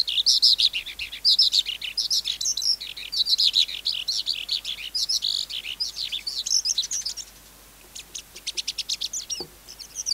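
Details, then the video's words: Wild-caught skylark singing a busy high warble that eases off in the second half into sparse rattling clicks and short notes after a brief lull, plus one soft knock. "Sơn Ca Bổi Hót Giọng Cực Hay"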